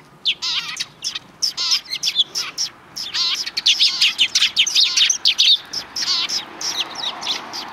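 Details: Many sparrows chatter on a road in front of a Tenmangu shrine, recorded 13 December 2019. Rapid, overlapping high chirps mix with warbling, wavy notes in a busy, continuous twittering chorus.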